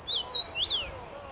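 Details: Common rosefinch singing in a tree on 23 May 2021, a short clear whistled phrase of slurred notes rising to a peak and falling away.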